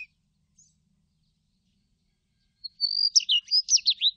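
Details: Following a near-silent stretch, a Daurian redstart delivers one phrase: a thin, even whistle sliding into five or six bright, quickly repeated swooping notes.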